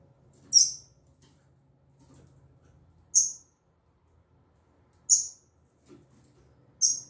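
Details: A female double-collared seedeater sings in the style called 'tui tui zel zel'. Four sharp, high, buzzy notes are spaced about every two seconds over a quiet background with a faint low hum.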